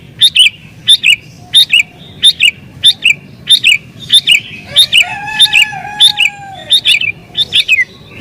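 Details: Sooty-headed bulbul singing in an agitated, excited way, used to lure wild bulbuls: sharp chirped notes with falling tails repeated about every half second, a longer drawn note midway, faint low background rumble.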